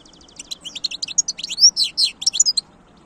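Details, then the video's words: European goldfinch song: a fast, bright stream of twittering and chirping notes with sharp rising whistles, lasting nearly three seconds. "تغريد حسون خلوي"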